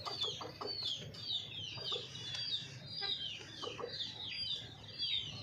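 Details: Household hens clucking in quick, low pulses, about a hundred sounds a minute, mixed with continuous high, falling peeps and a faint low hum.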